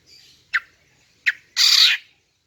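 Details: Greater green leafbird female call used to lure males: two short sharp chip notes followed by one longer harsh, hissing rasp.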